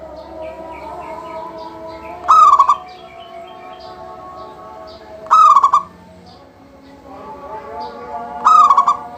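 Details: Local zebra dove singing steadily, a song meant to get other doves singing. Three phrases repeat about every three seconds, each a ringing note breaking into a quick bubbling roll, with soft chirps and humming tones behind.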